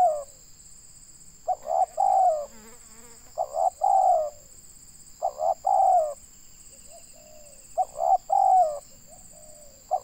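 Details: Local spotted dove, Indonesia, calling for bird luring: loud repeated three-part coo phrases roughly every two seconds, a brief rattly sound near the start and a constant high-pitched whine in the background.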